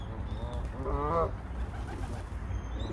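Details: A common moorhen gives one short, throaty croak lasting about half a second, over a steady low rumble.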